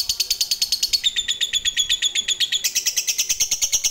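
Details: Rapid, unbroken ngekek of an Indonesian fighter lovebird, meant to bait other lovebirds into answering: high metallic chattering notes pouring out at a steady pace, the pitch stepping up and down.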